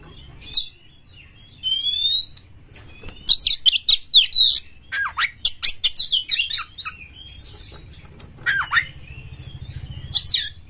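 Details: Champion oriental magpie-robin singing constantly with its tail spread, used as a lure to provoke other magpie-robins: long pure whistles rising in pitch, then a fast run of sharp, varied chirps and chatter, with a low steady hum behind.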